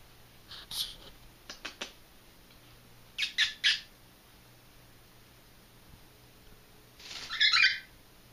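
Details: Indoor pet cockatiel in Maine, one of a pair, answering its owner's greeting with harsh, scratchy squawks: a single squawk, then a burst of three quick ones, and after a pause a final longer raspy squawk, with soft clicks and thumps between.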